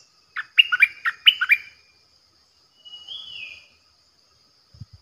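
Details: Decoy bulbul, known locally as nok dok taeng, recorded 8 May 2021: a quick burst of about six rich, chirpy whistled notes, then a thin slurred whistle rising and falling. A steady high whine runs throughout.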